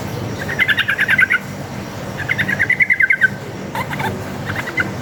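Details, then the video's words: Sooty-headed bulbul in wild, fighting-style rapid 'ropel' song used as a lure: two quick runs of chattering, trilled notes, each about a second long, then scattered short bursts, over steady low background hum. "PANCINGAN trucuk gacor ngalas tarung ropel ini paling ampuh buat masteran trucuk agar nyaut bunyi"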